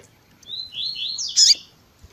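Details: Double-collared seedeater in tui tui zel zel style, with a female's calling used to excite males: a chain of rising slurred whistles ending in a loud, bright, sharp flourish.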